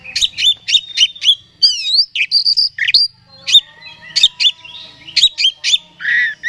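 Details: Song of an oriental magpie-robin, played to stir another bird into an agitated mood: rapid repeated sharp chips alternating with clear whistled and slurred notes, loud and continuous throughout.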